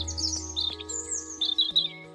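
A European Robin sings thin, high, wavering phrases with quick squeaky notes and short pauses, over a soft, steady musical drone.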